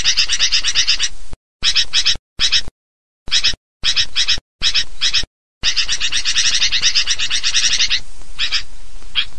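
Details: Sooty-headed bulbul lure recording: short bursts of crowded harsh chatter cut by abrupt silences, followed by a sustained stretch of busy, overlapping notes.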